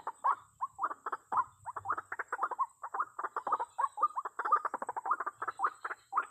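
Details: White-breasted waterhen lure sound, recorded 2021 while trapping waterhens: an uneven stream of nasal, croaking notes in clustered bursts, with some louder squawks and a faint high whine behind.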